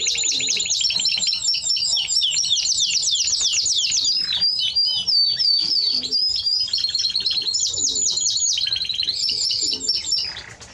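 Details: Timbrado Español canary singing a long unbroken stream of rapid, rattling rolls and metallic trills, switching phrase types every second or two, with a brief clearer whistled passage in the middle.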